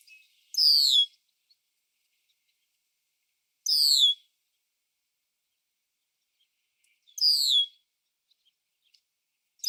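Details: Red-winged blackbird in Ontario, Canada, at nature parks and trails: a high, buzzy, downward-slurring call lasting about half a second, given three times at roughly three-second intervals against a quiet background.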